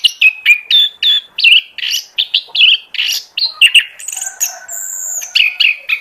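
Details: Oriental magpie-robin lure song for attracting birds: quick, varied whistled and chattering phrases delivered in steady bursts, with a brief sustained high whistle in the middle and a clean background.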